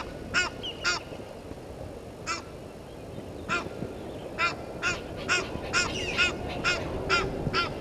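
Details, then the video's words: Egyptian geese clash with intruder geese at Gowrie dam, Djuma Game Reserve, Sabi Sand, South Africa, 17:08 on 10/04/21; sharp, raspy honks repeat at irregular intervals, speeding into a quick series in the second half. "Egyptian Geese having dispute with intruder Geese"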